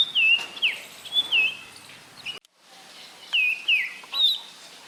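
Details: Common iora calling, with sharp whistled notes sweeping down from high to lower pitch, given in pairs and small groups separated by short pauses, plus a brief silent gap midway.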